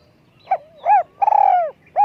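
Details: Spotted dove used as a decoy bird, with a high, small voice: a sequence of soft hollow coos, two short notes, then a long drawn-out wavering coo falling at the end, and another coo starting.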